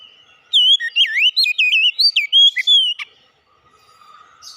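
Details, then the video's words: A single energetic song phrase from an oriental magpie-robin: rapid, melodious whistles with swoops and sharp upslurs, running nearly two and a half seconds, followed by near silence and a faint distant hum. "kicauan ampuh mempercepat pemulihan Kacer macet bunyi langsung gacor"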